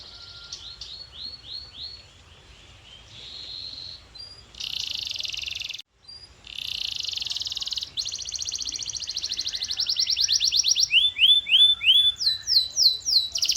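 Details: Canary singing a varied song: soft sweeping notes lead into long, dense, buzzy rolled trills broken by a brief pause. It ends in loud, rapidly repeated descending whistles.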